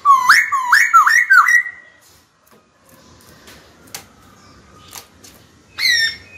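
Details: Cage-kept white-cheeked laughingthrush singing to call a rival to fight. It opens with four quick, clear whistles, each rising sharply, then falls mostly silent apart from faint clicks, and ends with one further bright note.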